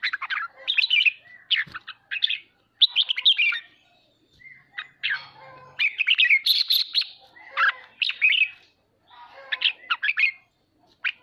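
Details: Red-whiskered bulbul singing, meant to stimulate pet birds to practise: a long series of energetic chirped and warbled phrases with short pauses, repeated bursts of rapid notes midway.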